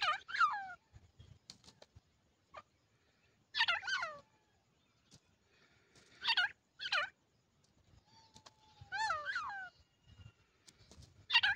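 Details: Grey francolin chicks calling in loud bursts of wavering, down-curving notes, about four groups spaced a few seconds apart, with brief soft chirps and clicks between them.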